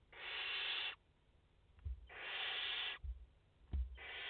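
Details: Live from a barn owl nest in France on 30 August 2021, mother with four chicks: three drawn-out hoarse hisses, each close to a second, spaced evenly, with brief taps from movement in the nest.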